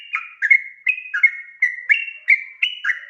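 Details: Brief burst of long 'ropel' song from a sooty-headed bulbul, used to make other bulbuls respond: bubbly whistled notes that slide up and down, about eighty a minute.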